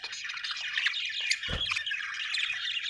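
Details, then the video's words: A group of happy budgerigars, described as Australian birds, fills the air with dense, busy twittering and squeaky warbles over a faint low background hum, with one soft thud midway. "happy budgies chirping sound"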